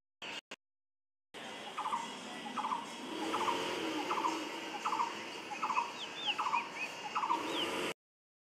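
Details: An unknown bird gives evenly repeated short, rasping mid-pitched notes, about one every 0.8 seconds, while another bird adds thin, high, falling chirps in the background.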